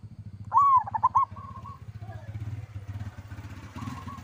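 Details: Local zebra dove (perkutut lokal) in lively 'kerot' style song, meant to make other doves answer: one phrase, an arching upslurred coo followed by a quick stutter of short notes, then a steady low engine rumble from a passing motorcycle.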